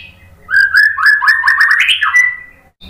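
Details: White-rumped shama singing a loud, clear run of whistled notes that step upward and warble rapidly, ending in a long level whistle, with little background noise.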